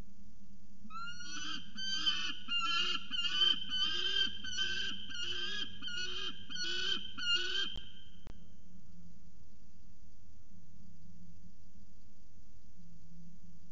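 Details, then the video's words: On 17 February 2019 at CSU Orange, a peregrine falcon utters a burst of about ten rasping, buzzy calls in quick, even succession over six seconds, then falls silent against a low background hum. "Peregrine Falcon Little Budhin Has A Lot To Say"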